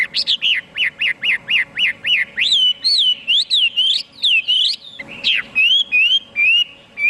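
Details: Hwamei song opening with a fast rhythmic string of repeated upslurred whistles, then looping, bending whistled phrases and a harsh burst near the fifth second, ending on level whistled notes.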